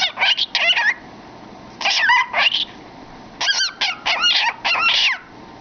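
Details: Cockatiel kept as a pet, head in a cardboard tube, chattering in busy bursts of buzzy, bending notes, three main groups with brief quiet gaps between them.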